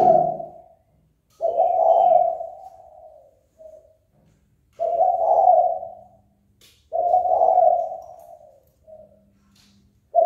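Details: Kept spotted dove cooing to draw rival doves into a fight: low, rough, drawn-out phrases ending in a brief soft note, repeated about every three seconds over a faint low hum.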